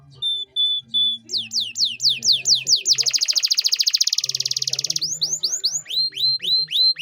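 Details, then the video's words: Lively canary singing 'cengkok mewah' phrases as a tutor song: a few pure whistled notes, a run of slurred chips, a dense buzzing trill, then looping rising-and-falling whistles. "MASTERAN KENARI GACOR || Cengkok Mewah Mudah Masuk untuk Burung Bahan & Paud"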